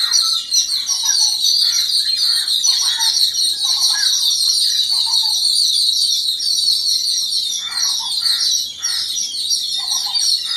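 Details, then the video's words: Yellow-billed babblers calling together against an unidentified threat: a run of short, harsh, chattering notes in quick bursts, some falling in pitch. A loud, steady high insect drone runs throughout. "Yellow-billed Babblers reaction against un-identified threat - සතුරෙක් හමුවේ දෙමලිච්චන්ගේ එකමුතුව"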